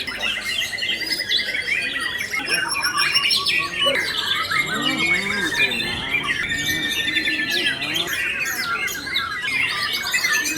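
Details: White-rumped shama singing in a songbird contest, where it placed runner-up: a dense stream of rich whistles, rapid trills and chattering phrases, overlapping other caged birds singing with a murmur of people behind.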